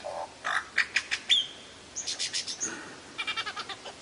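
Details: Lyrebird in varied song: a low hooting note, then sharp clicks and chips, a short whistle, and later runs of rapid squeaky pulses repeated in clusters.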